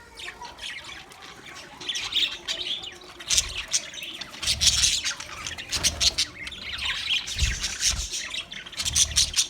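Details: Singing budgerigar, a chattering stream of high chirps, buzzy warbles and squawks coming in waves, with soft low knocks in the background.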